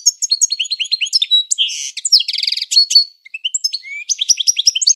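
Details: Continuous European goldfinch training song, a fast jumble of liquid twitters and chirps with a brief buzzy trill midway, high-pitched and lively throughout.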